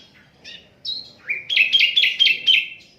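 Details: Asian brown flycatcher, unedited recording used as a tutor song for other songbirds; a few thin high notes, then a rapid series of bright whistled notes around one pitch, repeated several times per second, over faint background hiss.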